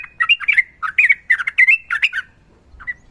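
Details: Sooty-headed bulbul used as a training song, described as a fighter with a female calling the male: fast chattering phrases of bubbly, warbling notes around mid pitch, tumbling up and down, ending with a short pause and two brief notes.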